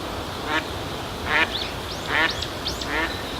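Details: Eastern spot-billed duck's everyday contact calls: four harsh quacks spaced unevenly, mixed with thin rising and falling whistled notes from another bird, over low background ambience.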